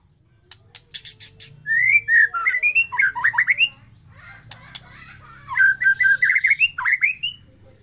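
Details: White-rumped shama song meant to provoke other shamas into singing: sharp high ticks, then two bursts of quick warbled whistled phrases separated by a quieter pause, over a low steady hum.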